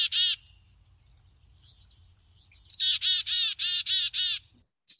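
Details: Black-capped chickadee, a common backyard and woodland bird around Washtenaw County, gives its namesake chick-a-dee call, a non-song call: one harsh buzzy note, a pause, then a thin high note and a quick run of six raspy 'dee' notes.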